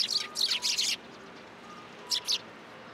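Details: Sparrows at a Tenmangu shrine, 7 January 2023, coming to a post to be fed, give a quick cluster of high, sharp chirps, then a pause and two more short chirps.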